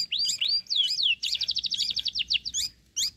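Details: Young sooty-headed bulbul fed crickets, begging loudly: a few swooping, whistled slurs, then a fast stuttering burst of high chirps, a short pause and a final high chirp, recorded close with little other sound.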